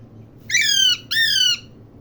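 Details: Parrot (mian mitho) giving two loud harsh squawks, each roughly half a second long and slightly falling at the end, separated by a brief gap, against a quiet low indoor hum.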